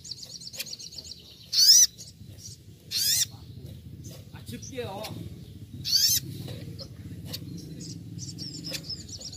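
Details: Little spiderhunter in a training recording of the rapid 'nembak' song style, imitating the wild: loud, sharp, very high bursts that sweep upward, about three over nine seconds, with faint twittering and a brief lower wavering call between them.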